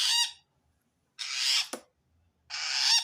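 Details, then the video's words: Long-tailed shrike calling to wild shrikes, a sign it feels threatened by another shrike; harsh, broadband raspy bursts about half a second to a second long, separated by short silences, with a brief low thump between them. "panjang suara aneh burung cendet"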